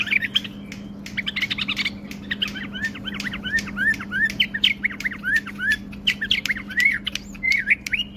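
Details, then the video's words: A tame bulbul sings a long, busy string of slurred whistled chirps, each note sweeping up and down, delivered rapidly with barely a break for eight seconds against a constant low electrical hum. "تغريد بلبل اليف"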